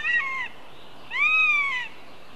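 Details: Young northern goshawks in Riga, Latvia, on July 2nd, siblings meeting, two females and one male: two drawn-out, wailing, meow-like calls, the first short, the second longer and arched, rising then falling, over steady background hiss.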